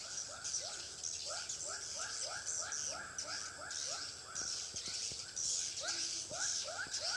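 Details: Swiftlet calls used to attract birds to a swiftlet house in Pekanbaru: runs of rising chirps over a high twittering hiss, interrupted by a few sharp clicks in the middle.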